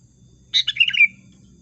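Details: Sooty-headed bulbul lure call used to attract birds for trapping: one bubbly, tumbling phrase of about half a second, several quick liquid notes that settle into a clear falling whistle, against a calm background.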